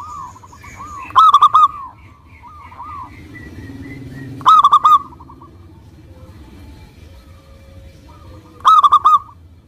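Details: Local Indonesian zebra dove singing actively, meant to set other doves singing: three loud stuttered coo bursts about every three and a half seconds, each led in by softer repeated coos, over low background rumble.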